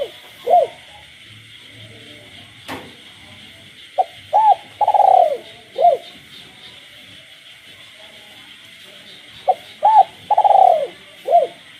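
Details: Spotted dove kept as a cage bird, cooing by night among calling frogs: two phrases about six seconds apart, each of clipped notes, arched hollow coos and a drawn-out burred coo, with a sharp click and a continuous frog chorus behind.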